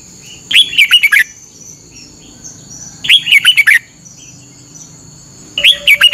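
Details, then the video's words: In Thailand a caged red-whiskered bulbul practises its morning training song: three lively phrases of rolling, liquid whistles, each under a second, spaced roughly two and a half seconds apart. "นกกรงหัวจุก ฝึกหงอนเป็นเวลา 30 นาทีทุกเช้าเพื่อช่วยให้นกเรียนรู้ที่จะพูดได้อย่างรว"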